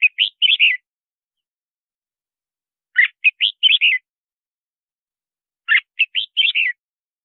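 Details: Red-whiskered bulbul singing to attract wild birds into trap fights and train other bulbuls: three similar short, chattering whistled phrases, each of four or five notes, repeated roughly every three seconds with silence between.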